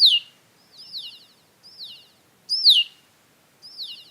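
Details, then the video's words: Male Red-winged Blackbirds in a marsh giving thin, high, downslurred seer alarm whistles on spotting a stuffed Cooper's Hawk, several birds echoing one another about once a second; no other sounds. "as soon as the first redwing black bird spots the hawk he switches to that sear call and all the other males in the marsh immediately follow suit"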